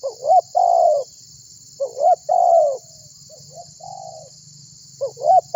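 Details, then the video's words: Vocal spotted dove calling to get other birds singing, for baiting: repeated coo phrases with a sharp rising note then a long low coo, softer notes between, over a low hum and high hiss. "Suara Burung Tekukur Gacor Memanggil Burung Lain Agar Ikut Bunyi"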